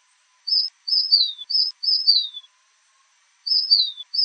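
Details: Fulvous shrike-tanager, a Brazilian bird, gives a clean run of high notes. Each note starts level and glides down. After four quick phrases comes a pause of about a second, then two more descending notes. No other sounds are heard.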